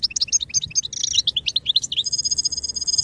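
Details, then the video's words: Goldfinch song used for song training: quick liquid twitters and chirps in a tumbling run, giving way to a long steady buzzy trill. "Birdsong sound effect beyond support and inspiration goldfinch"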